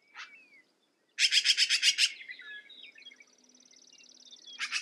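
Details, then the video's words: A harsh rapid chatter from a black-billed magpie rattles for about a second, then fades into soft chips, a thin buzzy trill from another bird, and a new chatter starting. "Black billed Magpie - Bird Sound"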